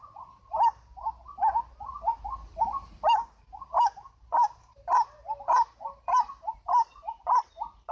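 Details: White-breasted waterhen (ruak-ruak) lure call: strong, harsh, nasal notes come in a quick steady series, each followed by softer clucks, with faint low rumble beneath.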